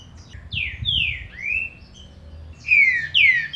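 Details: Green-winged saltator song played to stimulate a captive bird: loud clear whistled notes sliding downward, one rising phrase, then a quick pair of strong descending whistles near the end.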